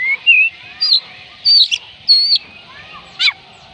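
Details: Oriental magpie-robin song to get lazy birds singing: a few drawn-out whistles and slurred notes, each separate, with one harsh downward sweep near the end.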